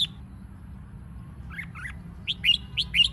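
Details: Red-whiskered bulbul singing competitively to stir other birds into song: a faint pair of warbled notes, then a lively run of loud, rising whistled chirps about twice per second, with a low hum underneath.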